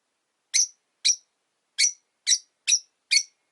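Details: Caged rosy-faced lovebirds, five birds near a window, calling with six clipped, piercing chirps spaced about half a second apart, otherwise quiet.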